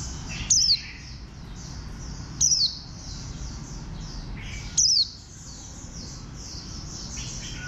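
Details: Three loud, piercing descending whistles from a warbling white-eye, spaced roughly two seconds apart, rise above a busy background of faint high chirps.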